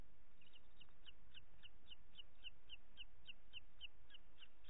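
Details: At a nest in Els Ports Natural Park, Catalonia, on 25 June 2021 at 21:38, as the mother shares an evening feed between two chicks, a booted eagle gives a fast series of thin, high notes, about four a second, over low rumble.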